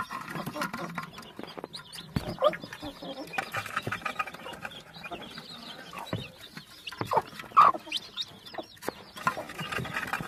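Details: Chicks calling together in a dense, overlapping chorus of short chirps and clucks, a busy chattering texture with sharper clicks and a louder burst near the eighth second against a constant noisy background.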